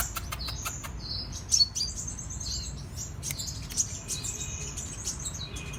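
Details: Sunbird known locally as kolibri raja or king konin, singing energetically in cetrekan style: bright squeaky trills and abrupt clicking chirps, a few louder notes standing out, against faint low background noise.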